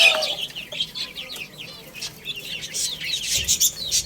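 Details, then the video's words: Baby chickens playing and eating, a chorus of thin high chirps and short downward-slurred peeps, louder at the start and end. "Cute Little Chicks Chirping Sounds| Baby Chicken Playing and Eating"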